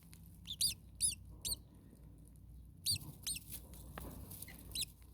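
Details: Common starling nestlings in a hot nest produce a few short, high, squeaky chirps in small clusters, separated by pauses, against a low background rumble.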